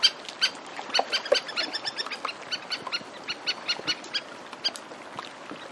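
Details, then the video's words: Several Antarctic terns in flight calling over the sea, shore in the foreground: a rapid chattering series of clipped, nasal high notes, roughly four to five per second and slowing toward the end, with gentle water lapping beneath. "Antarctic Tern. Several Calling In Flight"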